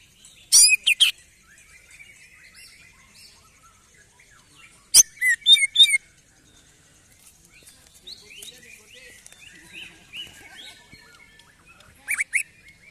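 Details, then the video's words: Greater green leafbird, excited and singing more after its first song contest: three loud bursts of sharp, high, piercing notes, with softer twittering and chirps filling the gaps between them. "CUCAK IJO EMOSI SETELAH LOMBA"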